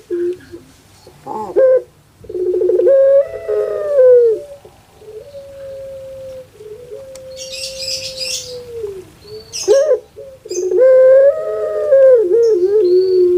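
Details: Kept puter pelung dove: stuttered rolling notes swelling into long wailing coos, with a quieter steady tone in the middle. A burst of hissing noise intrudes partway through, then another full rolled-and-drawn-out call follows.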